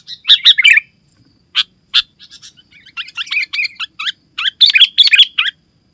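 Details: Bulbul song of the sooty-headed species, meant to lure other bulbuls and tutor birds: short bubbly chirps opening, two lone notes, then a steady run of quick chattering phrases ending in louder bursts.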